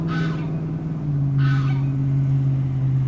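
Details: One of a pair of Ring-billed Gulls at a pond in Diamondhead, Mississippi, in January 2016, giving two harsh, nasal calls about a second apart over a loud, steady, low engine-like drone.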